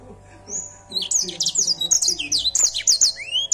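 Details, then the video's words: Actively singing canary delivers a continuous run of high, quick, varied notes, chirps and slurred whistles, ending with a rising sweep; soft low hum throughout. "Edel sanger gacor"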